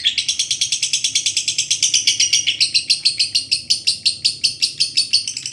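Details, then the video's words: Lovebird ngekek panjang, a long chattering trill for training birds: about five sharp, high, rasping pulses each second, steadily repeated and dropping slightly in pitch midway, over a faint low hum. "masteran burung Lovebird ngekek panjang"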